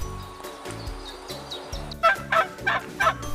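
A turkey gobbles in a rapid, rattling burst of four or five throaty notes, about three per second, after a stretch of background music.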